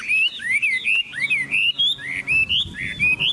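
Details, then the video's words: Rich, fluty whistles from a caged Chinese hwamei in Vietnam, each note sliding up or down, delivered in a quick chain of roughly three notes per second. "Họa mi chuẩn mẫu chim hót - Hót hay dáng đẹp"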